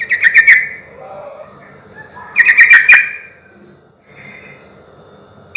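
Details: Sooty-headed bulbul in full song, used as a lure to make silent bulbuls answer: two short bursts of quick, bright chirping notes, each about half a second, separated by a quiet gap with faint background hum.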